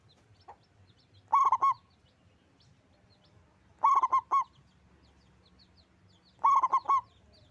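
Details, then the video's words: Local zebra dove with a strong voice giving three phrases of quick, warbled coos, each about half a second long and spaced a little over two seconds apart, with soft background chirps. "Perkutut lokal gacor suara besar"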